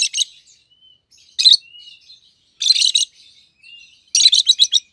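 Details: A pair of pet rosy-faced lovebirds, one yellow and one green, both red-headed: loud harsh broadband chirp bursts come in four clusters about a second apart, with faint thin whistles between them.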